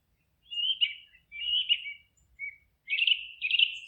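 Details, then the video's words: Forest bird song: clear warbled phrases repeated in four bursts with short pauses, each a fluttering whistled run of notes, one brief single note between, in an otherwise quiet setting. "Forest relaxing sounds of singing birds"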